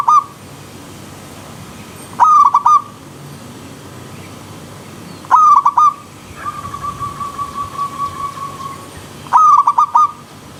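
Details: Wild zebra dove set to a river stream backdrop, singing clear ringing phrases of quick stuttered coos, each phrase repeated about every three to four seconds, with a long run of soft even pulses between phrases.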